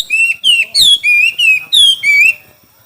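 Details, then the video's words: Chinese hwamei contest song: seven loud, pure whistled notes in a steady sequence, some level, some sliding up or down, delivered without pause. "Coob quaj sib thib(Hoạ mi hót đấu)"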